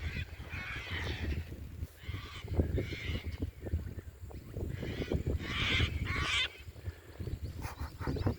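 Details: A flock of sulphur-crested cockatoos flying over and landing near a backyard turtle pond in Australia gives harsh, raucous screeches in ragged bursts every second or so, over low wind and a man's voice.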